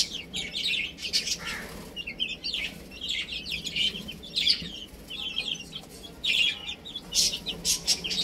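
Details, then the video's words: Young chicks at play and feeding, peeping constantly in a shrill overlapping chorus; clusters of quick high chirps rise and fall, broken by short scratchy pecking noises. "Adorable Little Chicks Chirping Sounds"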